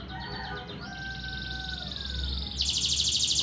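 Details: Local canary song opening with clear, slightly falling whistled tones, then breaking into a loud, very fast buzzy trill of high repeated notes over a faint low hum.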